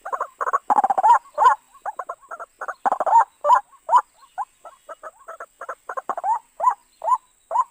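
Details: {'caption': 'White-breasted waterhen voice played for trapping: an uneven, excited chatter of grating bursts and gurgling notes, thinning into short clipped calls and a few bending croaks, with a steady faint high tone behind.'}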